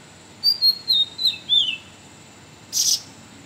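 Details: Sooty-headed bulbul singing a varied song, used as a tutor recording for training oriental magpie-robins and greater green leafbirds; a quick run of five or six high whistled notes falling in pitch, then a short burst of hiss.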